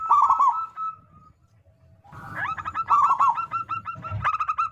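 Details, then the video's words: Local zebra dove (perkutut lokal) song used as a lure to prompt other doves to answer: a quick stuttering run of soft, clipped cooing notes, a short pause, then a longer rapid series ending in fuller coos. "Perkutut Lokal Gacor Suara Besar Pancingan Burung Perkutut Agar Cepat Bunyi"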